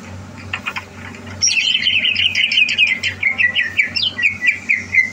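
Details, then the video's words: Caged greater green leafbird groomed as a contest champion, 30 November 2022, delivers a long rippling series of clear whistled notes that slowly descend, with a faint hum in the background. "Suara Burung CUCAK Hijau"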